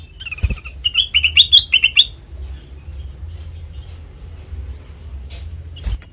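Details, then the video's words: Black-crested bulbul recorded for use as a trapping lure: a quick run of bright, clipped whistled notes in the first two seconds, then near quiet with one more short note at the end over low background hum. "Suara Asli Kutilang Emas Pancingan Pikat Masteran"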